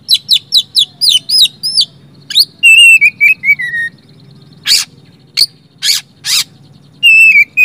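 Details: Oriental magpie-robin song used to prompt silent magpie-robins to sing: rapid series of loud whistled, upslurred notes, then sliding descending whistles and several harsh rasping bursts, with a final whistled phrase over faint low hum.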